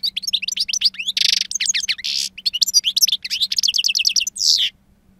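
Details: A two-year-old European goldfinch sings wild-type song, prized for its strong timbre: lively twittering runs punctuated by harsh buzzy notes and a fast series of repeated chips, then silence.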